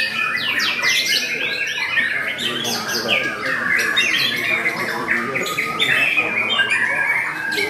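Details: White-rumped shama (murai batu) in a bird singing contest, showing a very fierce fighting style: continuous loud bursts of whistles, trills and harsh chatter, with overlapping birdsong from other contestants and faint voices.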